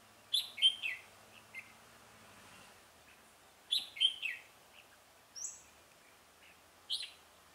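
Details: Red-whiskered bulbul decoy singing to lure rival bulbuls into a trap: loud, sharp whistled chirp phrases repeated about every three seconds, with a faint low hum early on.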